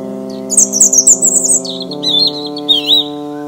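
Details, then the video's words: European robin singing in a forest in Ukraine: high, thin, fast twittering phrases that shift and waver, then drop to a lower warbling run, all over steady sustained musical tones in the background. "Вільшанка, ольшанка, зорянка спів. Robin bird in the forest."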